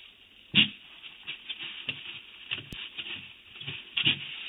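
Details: California condor chick in its nest cavity, 6/10/16, taking a defensive posture and hissing and grunting at an arriving adult it mistakes for an intruder: raspy breathy bursts, a loud one at the start and end, with softer irregular hisses between.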